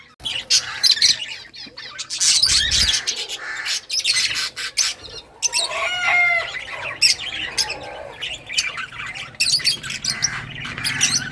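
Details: Lovebirds of several colour mutations singing and chirping: dense overlapping squeaky chirps and harsh chatter from more than one bird, with a short burst of wing flapping.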